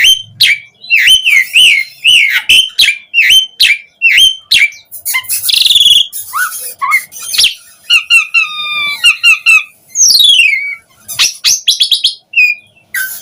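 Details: Asian pied starling song meant as a lure for other starlings to reply and sing: a long varied medley of repeated whistled notes, buzzy trills, harsh bursts and sweeping slides.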